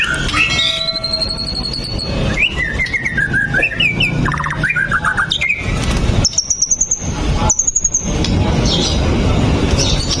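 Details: Varied White-rumped shama song played to prompt other shamas to sing: rich warbled whistles and chattering phrases, then abrupt cuts into high, thin, rapid ticking trills, all over a low rumbling hum.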